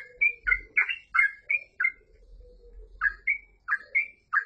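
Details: Yellow-vented bulbul song: bright, gurgling two-part notes in quick bursts, a brief pause near the middle, then the bubbly phrases resume; faint low background hum.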